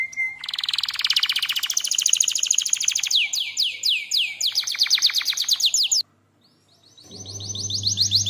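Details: Canary lure song for mastering other canaries: a long, fast, loud trill of sweeping high notes and rolls, a brief silence, then the trill resumes over a low hum.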